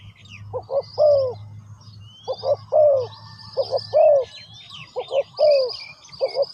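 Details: Spotted dove giving its repeated coo phrase four times: a quick double note and then a longer, slightly falling coo. A low hum runs underneath and small birds twitter in the background.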